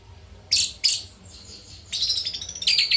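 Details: Orange-headed thrush singing after bathing at night, giving loud high-pitched chips and a scratchy, rapid twittering phrase with thin whistled notes.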